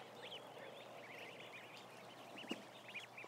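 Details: A thousand ducklings on a livestream camera give steady high peeps, several clear arched notes standing out late on, with a brief knock at two and a half seconds.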